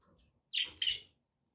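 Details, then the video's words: Pet budgerigar giving two short, bright chirps in quick succession, each sharp and slightly buzzy, in a quiet room. "budgie sounds for pet parakeets to make tham happy"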